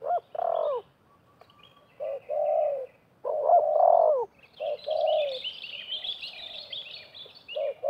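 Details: Spotted doves, wild and decoy, calling competitively at a trap site. Low short-long coo phrases overlap, while another bird twitters in high chirps through the second half.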